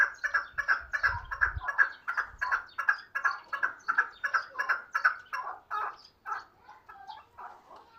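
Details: Chukar partridge used as a hunting bird gives a rapid series of rough, clucking chuk notes, nearly three per second, fading and slowing toward the end, with a brief low thump early on.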